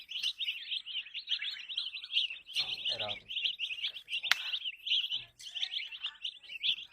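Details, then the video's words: Baby chicken chicks, brightly colored, chirping nonstop in an overlapping flurry of thin, shrill peeps, with a brief low voice and a sharp click partway through. "Wow cute colorful color chicken chick chirping"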